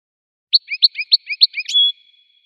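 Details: An American goldfinch gives a short phrase of about six paired chirps, a high note followed by a lower one, then finishes on a thin, steady whistled tone.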